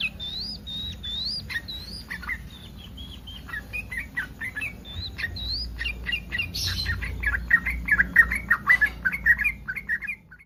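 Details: Yellow-vented bulbul in breeding condition, calling to make other bulbuls reply; clear rising whistled phrases at first, then dense chattering bubbly notes growing louder toward the end, with a steady low hum.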